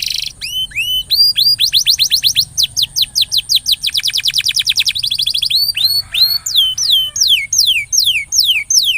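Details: Canary song meant to stir a quiet canary into singing: fast, rolling, high whistled notes, then a dense rapid trill, followed by slower, louder down-slurred whistles.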